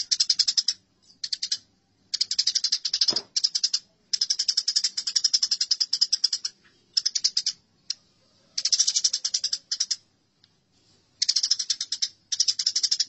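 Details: House sparrows fighting, heard as dense bursts of high, harsh chirps run together in rapid trains, broken by short silences and one low thump near the third second.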